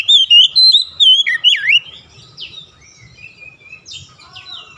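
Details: Oriental magpie-robin (kacer) lure song for drawing other magpie-robins into singing. It opens with loud, sustained, swooping whistles and a deep dipping slur. Faint, scattered high chirps trail off afterwards.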